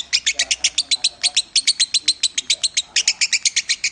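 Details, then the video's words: Caged lovebird, a Piala Raja nominee, delivering 'Minor'-style song for tutoring other birds: rapid, evenly spaced, scratchy high chirps pouring out in a steady rattle, briefly pausing once, over soft background talk. "Masteran burung lovebird suara Minor"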